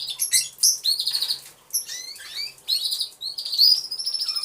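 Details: Aviary full of canaries singing, heard through a concealed camera: short bright whistled phrases and quick trills come in bursts, separated by brief pauses, with many birds overlapping.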